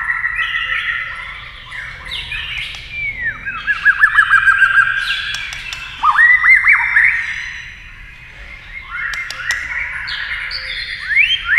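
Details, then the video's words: A white-rumped shama sings against a TV while flicking its tail. It gives fast trilled loops and upward-swept whistles in lively bursts, separated by quieter stretches and sharp clicks. "kích chòe lửa hót đấu với tivi cực căng lửa"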